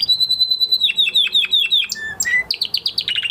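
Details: Domestic canary singing after its moulting period during training, a fast series of high repeated trills and notes, switching between rapid sweeping phrases and sharp chips, then a low whistled note and quick rolling trills.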